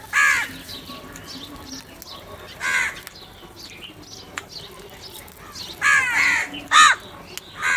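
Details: Crows fighting for food, scattered harsh caws at the start and middle, then a cluster of three hoarse calls near the end, over steady background noise.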